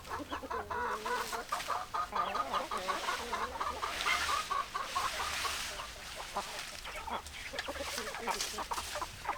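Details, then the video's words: Many hens clucking together: busy, overlapping short clucks with a few drawn-out, wavering notes in the middle, over a faint steady hum. "Chicken Sounds Noises Hens Clucking Roosters Crowing"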